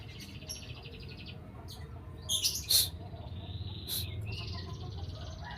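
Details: White-rumped shama (Copsychus malabaricus), a bowing-display F4 bird just out of moult with new feathers, singing scattered high, clear whistles and short chirpy phrases over a steady low hum.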